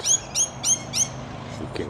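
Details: A Rainbow Lorikeet in a neighbour's tree in suburban Perth, Western Australia, gives four shrill, strident screeches about a third of a second apart, then a couple of fainter notes; low background hum throughout.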